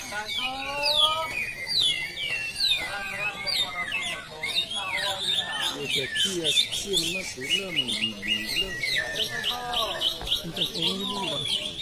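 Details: Greater green leafbird in the plain class of a practice singing competition in South Aceh, Indonesia: dense, rapid chirps and sharp high whistled slurs pouring out continuously, mixed with lower warbling notes and men talking throughout.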